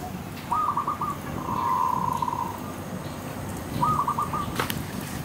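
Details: Dove perched on a tree gives a brief cooing phrase, then a long, even, sustained coo, and after a pause another short coo. Soft rustling and a steady hiss run underneath.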